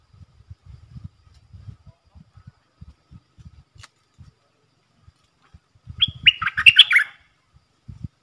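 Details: Red-whiskered bulbul decoy, used to teach young birds and lure wild ones, bursts into a rapid chattering whistled phrase about one second long amid repeated low soft thumps and knocks.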